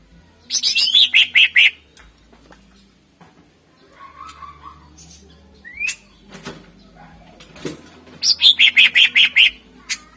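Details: Greater green leafbird singing to lure contest birds: two fast bursts of buzzy, slurred high notes at the start and end, with quieter chirps, a low warble and wing flutters between.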